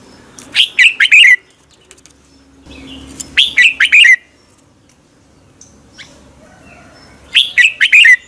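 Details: Red-whiskered bulbul singing in the morning, a caged bird used for training and competition singing, giving short bursts of loud, clipped, warbling notes roughly every three seconds with quiet gaps between.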